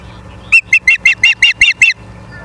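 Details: Osprey at a nest in Charlo, Montana, on a live nest camera, 09/03/2023 at 18:54: a rapid series of seven sharp, whistled chirps of even pitch over about one and a half seconds, with a faint low hum beneath.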